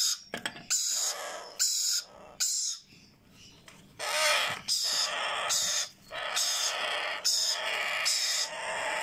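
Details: Sun conure and Yellow Ringneck chicks, hand-reared, giving feeding calls during hand-feeding: long, rasping, broadband screeches running almost without pause, with a few short breaks and brief clicks at the start.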